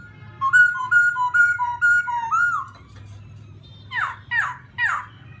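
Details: Laughingthrush song meant to provoke another bird: a run of clear, steady whistled notes repeated about twice a second, then three loud, buzzy, falling swoops, over a low background hum.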